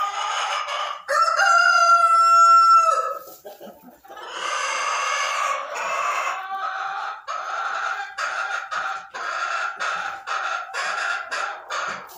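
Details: A Silkie rooster in a nesting box gives a long, steady, strained crow-like note, then a run of rapid, harsh clucking and chattering calls about three a second.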